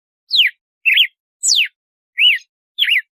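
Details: Red-cowled cardinal singing in the açoite style, a measured compasso song: five clear whistled notes, some sliding steeply downward, others arched or looping, spaced about half a second apart against a silent background.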